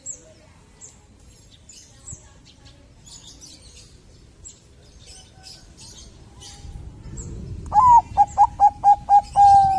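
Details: Bangkok-type zebra dove song used to get other doves singing: faint high chirps from small birds first, then a rapid run of six short, hollow coos closing with a drawn-out steady note.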